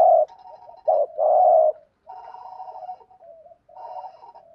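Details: ["Spotted dove cooing in the 'thúc gù' style used to lure wild doves: a short coo, a looped note and a long buzzy coo, then softer drawn-out trailing coos."]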